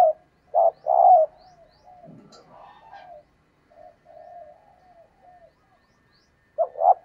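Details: Female spotted dove calling to stimulate males: a burst of short coos opens, then quieter wavering coos drift through the middle, and two more coos close the passage.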